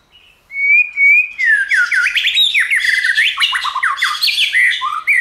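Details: White-rumped shama singing a many-voiced song used to stimulate other shamas to sing: a high thin note, then clear sliding whistles that break into a fast run of varied rising and falling phrases with bright overtones.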